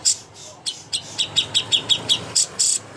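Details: Greater green leafbird contest master song, a string of sharp, high, evenly spaced chirps with a few longer bright notes at the close, against a faint low rumble.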